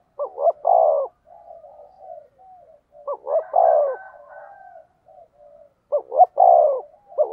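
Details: Spotted dove decoy calling to provoke rival birds: repeated low coo phrases about every three seconds, each with short clipped notes and a long husky middle coo, soft murmuring coos filling the pauses.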